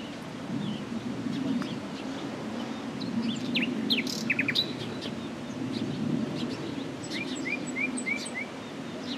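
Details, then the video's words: Common nightingale singing, faint behind a steady low hum: scattered sharp high notes, then a run of four rising whistled notes near the end, over constant background noise. "BEST NIGHTINGALE SONG,Nachtegaal -Common Nightingale singing,BÜLBÜL SESİ DİNLE"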